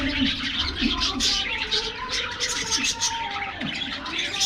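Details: Aviary budgerigars at a morning diet treat keep up rapid high chirping and scratchy warbles throughout. Occasional short, low notes drop in beneath the chatter.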